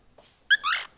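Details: Pet cockatiel at home giving a short whistled chirp followed by a rising, slightly harsh whistled note, with a person's faint voice nearby.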